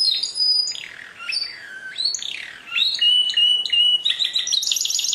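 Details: Canary song mixing high whistles, sliding downward slurs, a clear sustained tone and a closing burst of rapid buzzy trills.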